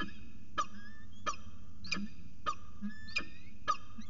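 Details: Peregrine falcon at CSU Orange, recorded 15 January 2019 at 5:45 pm. Six sharp, harmonic-rich calls are given about every 0.6 seconds over a steady low rumble of background noise.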